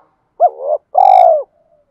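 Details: Spotted dove cooing in the 'thổ' voice, a call used to train decoy birds and spur them to coo and fight: a short, rising-then-dipping first note, a pause, then a longer steady coo that drops at its close.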